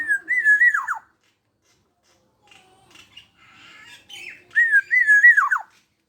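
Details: A 21-year-old black-naped oriole singing vigorously, a bird suited as a song tutor: two rich fluted whistled phrases, each wavering then dropping steeply at the end, separated by a quieter stretch of soft chattering notes.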